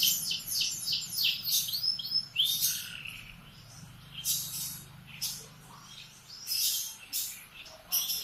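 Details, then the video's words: Canary singing in the morning: a lively high-pitched song of rapid rolling trills and bright chirping phrases, with short pauses and a faint low hum beneath. "Kicauan kenari di pagi hari"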